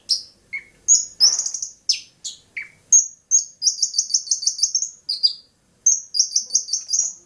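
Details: Bobotsari Long-tailed shrike singing: scattered high chips and a low buzzy note, then bursts of fast, even, high-pitched chattering trills broken by brief pauses.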